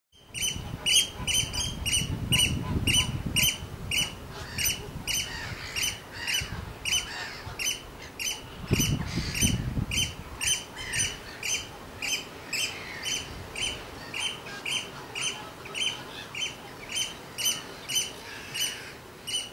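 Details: Oystercatcher; call; calling to its chick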